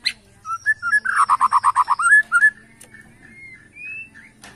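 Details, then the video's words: White-rumped shama of Borneo in bowing-style song meant to provoke rivals: whistled notes building into a loud, evenly pulsed rolling trill, then soft rising whistles. "BIKIN EMOSI LAWAN || Gaya SUJUD murai batu BORNEO"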